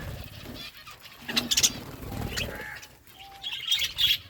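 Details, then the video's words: Feeding budgie flock giving scattered high chirps and warbles, a short clear whistled note, and bursts of fluttering and rustling. "Beautiful budgies flocks birds eating food"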